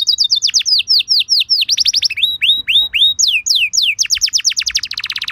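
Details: Canary song played as a lure for other canaries: long varied phrase of swooping downward whistles, changing speed between slow curved notes and fast trills, ending in a dense rapid rattle.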